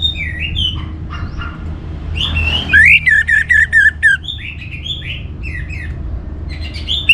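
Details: Orange-headed thrush, kept as a cage bird in northern Bali, sings to prompt other birds into song: varied slurred whistles around mid pitch, then a burst of rapid repeated buzzy notes, with low background hum throughout.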